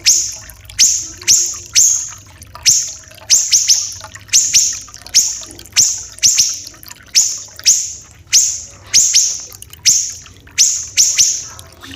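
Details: Common iora, a bird of Sumatra and Kalimantan, giving a harsh, dense, long series of high upslurred notes, sometimes doubled, spaced about half a second apart, over a faint background meant as trickling water.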